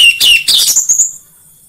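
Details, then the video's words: Orange-headed thrush singing, played to stimulate singing: a short loud phrase opening with a clear whistled note, then quick buzzy, slurred notes that fade out within about a second. "PANCINGAN AMPUH UNTUK BURUNG DIRUMAH UNTUK SEGALA JENIS ANIS MERAH SUAPAYA CEPAT GACOR"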